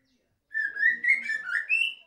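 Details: Caged white-rumped shama, just fed and hung up in its covered cage, starts singing straight away: a short, rich whistled phrase of about a second and a half, with slurred notes stepping upward at the end.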